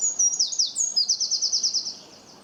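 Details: Bird chirping with a few high slurred notes dropping in pitch, followed by a quick, steady series of about nine sharp repeated chips that trail off.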